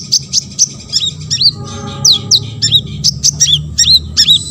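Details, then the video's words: Olive-backed sunbird, a lively caged singer played to provoke other sunbirds into song, delivering a rapid series of high thin chirps and sharp downward-sweeping notes, with a faint low hum and steady tonal drone behind. "KONIN GACOR BONGKAR MATERI"YG LAIN AUTO BONGKAR"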